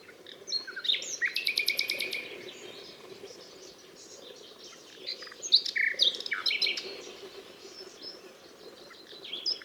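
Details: Nightingale singing: a rapid series of about ten identical clipped notes, then high buzzy strokes and scattered whistled and chirping phrases, with a steady low background hum.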